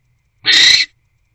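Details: Barn owl at a nest box at 10:17 pm on 20 January 2024, arriving with a small rodent before mating; one harsh, hissing screech of about half a second, broad and noisy, with no other sounds.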